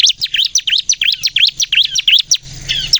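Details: Lure song of a bar-winged prinia in the 'gacor nembak' manner, meant to set untrained prinias singing: quick, high chirps that rise and fall, packed closely over a few seconds.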